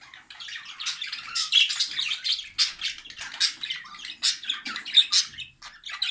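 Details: Male jumbo budgerigar singing to a newly joined female indoors, the pair starting mating movements as they listen; continuous scratchy, high chattering warble of rapid chirps and clicks with uneven loud bursts.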